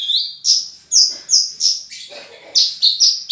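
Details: Horsfield's bush lark in full song, a lively string of high, sharp whistled notes, many dropping in pitch, given in quick irregular bursts with a brief softer, lower passage midway.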